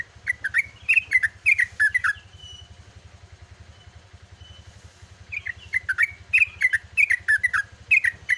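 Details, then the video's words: Lively chattering 'ropel' song of a yellow-vented bulbul at dawn: two runs of bubbly, rapidly slurred notes framing a quieter gap with faint thin whistles, over a steady low hum. "TRUCUKAN GACOR ROPEL"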